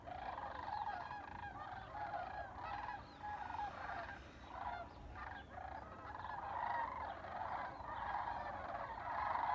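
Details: A large flock of sandhill cranes on spring migration near Albuquerque, New Mexico, gives continuous rolling, trumpeting calls, overlapping into a steady chorus that swells and fades.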